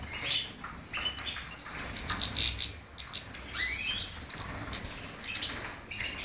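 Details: European goldfinch giving bursts of sharp chirps, a few clustered loud notes, then rising slurred twitters, high and quick, with quieter gaps between phrases.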